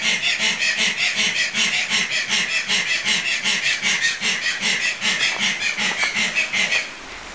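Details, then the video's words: Loud screaming of Tasmanian native hens close by under a bridge at a Gunns Plains wildlife park, Tasmania, Australia, recorded at astronomical twilight on 12 October 2012; a fast train of harsh, grating pulses runs for almost seven seconds, then stops abruptly. "Tasmanian Native Hens Screaming"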